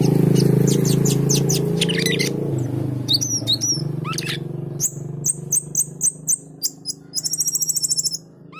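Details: Male cucak keling singing actively over loud low humming background noise: scattered high slurred notes, then a regular series of sharp high chirps and a fast trill near the end.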